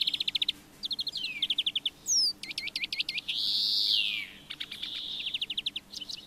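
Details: Brambling, Fringilla montifringilla: a long nasal buzzy note that swells and falls in the middle, set among quick series of sharp, evenly spaced chipping notes given in short bursts, in an otherwise quiet background.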